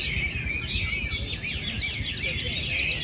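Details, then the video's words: Chinese hwamei, caged, performing at a Mỹ Đình club singing contest final on 19 July 2020: a continuous stream of bright, rapidly modulated whistled notes and trills over steady low crowd and ambient noise. "HỘI HỌA MI HÓT MỸ ĐÌNH"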